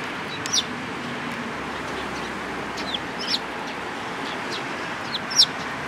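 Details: Sparrow chirps at a Tenmangu shrine, 13 April 2022, with a tailless bird among the flock: a few sharp, brief high notes spaced a second or two apart against constant low rushing noise.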